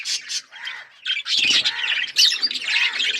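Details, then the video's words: Pet budgies chirping, a few short squawky bursts, a pause near one second, then louder chattering warbles with whistled notes. "Budgies chirping sounds birds singing and enjoying"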